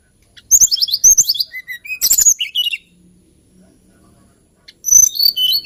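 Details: Hill blue flycatcher (Cyornis banyumas), a songbird of Java and Kalimantan, giving a lilting song: quick bursts of high, sweet whistled notes and trills over about two seconds, then near silence before a new bright phrase begins.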